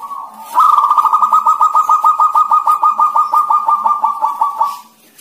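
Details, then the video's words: Local zebra dove song as a rapid, rolling series of soft cooing notes, about three a second. They run together in a steady, purring trill that fades at the end. "SUARA PERKUTUT LOKAL,MANA YANG PALING BAGUS⁉️"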